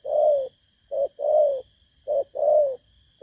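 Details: Wild-caught spotted dove giving its 'bầu' lure coo, recorded 19 August 2024; three rounds of a short clipped note followed by a long, full, slightly rolling coo, evenly spaced, over a faint steady high hum.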